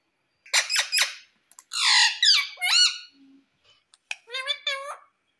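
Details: Pet green ringneck parrot indoors in a small room, taught to say "mummy": clicks and harsh squawky bursts followed by rising and falling nasal, voice-like syllables.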